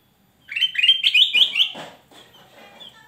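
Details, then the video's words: Male black-crested bulbul in full, loud song: a quick run of about six bright, slurred whistled notes rising and falling together, followed by a few lower, rougher notes that fade out. "Kutilang Emas Gacor Sang guru vokal volume keras"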